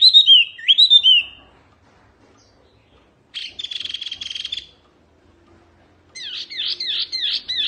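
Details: Oriental white-eye singing: short bursts of high, quick, sweeping chirps separated by pauses of silence, including a rapid buzzy run of repeated notes.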